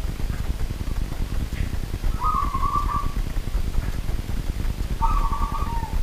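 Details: Night song of a local wild zebra dove: two separate short rattling trills about three seconds apart, the second ending in a lower drawn-out note, set against a steady low rumble.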